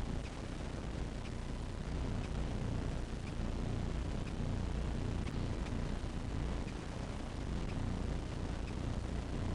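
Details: Steady low rumble like wind or a distant engine, with faint scattered ticks and no animal voice.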